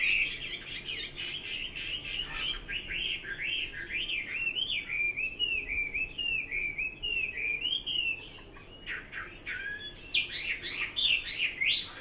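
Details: Chinese hwamei song of repeated looping whistled notes, each rising and falling, strung in long rhythmic series, broken by a brief quieter pause before a fresh burst of high rapid phrases.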